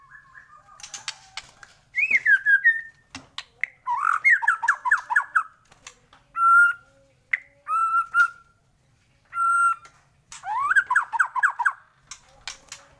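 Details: Morning lure recording of the white-rumped shama (murai batu) to make birds sing: varied bursts of fast warbled trills, clear steady whistled notes and rattling rising runs, with short silences between phrases.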